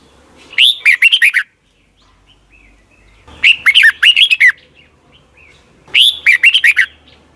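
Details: Red-whiskered bulbul from Thailand, a song played each morning so young caged birds learn it. Three short, loud warbled phrases of slurred rising and falling notes, each under a second, about every 2.7 seconds, with quiet pauses.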